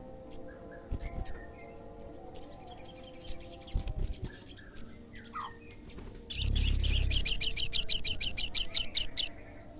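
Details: Olive-backed sunbird sound meant to make other sunbirds answer: scattered sharp high chips and short notes, then a loud fast run of repeated high buzzy notes through the final seconds.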